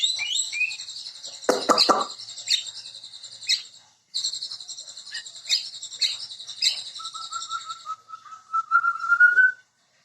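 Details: White-rumped shama (murai): high buzzy trilling with sharp clicks, a short gap, more trilling, then a drawn-out series of quick level notes slowly rising in pitch at the end.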